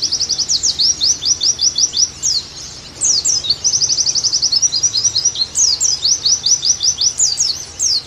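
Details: Pleci, or Oriental white-eye, sings bright, very high chirps strung into fast repeated runs and level trills, almost without a break. The recording is used to prompt lively singing.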